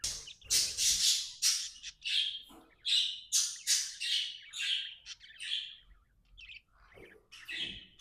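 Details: Budgerigar kept as a pet, described as happy, giving loud, rapid squawky chirps in quick runs, then softer, scattered notes.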